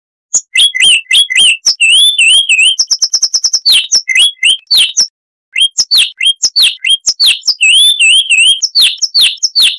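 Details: Chestnut-vented warbler, Sylvia subcaerulea, giving a loud, bright warbled song of 'Kristal' type: rapid twisting whistles and chips, a fast buzzy rattle, a brief silence, then more varied whistled phrases.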